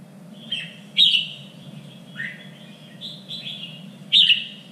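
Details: Red-whiskered bulbul singing in a three-region standard style used to train contest birds; clear liquid whistles and short slurred notes, two loud accented phrases about three seconds apart, with a faint background hum.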